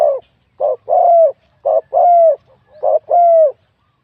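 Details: Wild spotted dove competing in a cooing contest, its voice rated middle to large; three close phrases of low, mellow coos, each a clipped note leading into a drawn-out, gently falling coo.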